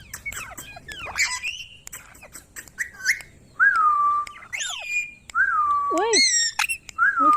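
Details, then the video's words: Talking ringneck parrot giving a series of clear, level and falling whistles with squeaky chatter at the start and a few sharp clicks between. "Parrot Talking |Ringneck parrot sound"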